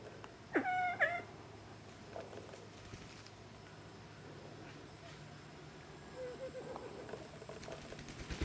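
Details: Siamese fireback uttering a single short, shrill harmonic call near the start, with a sharp onset and a held tone, followed by faint later notes over low rumbling background noise.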